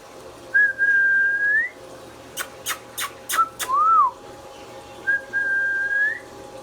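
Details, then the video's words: Pet talking Indian ringneck parrot with a long steady whistle rising at its end, a run of four sharp clicks, a short arched note, then another long rising whistle. "Mithu Mithu Bolne Wala Tota | Indian Ringneck Parrot natural Sounds"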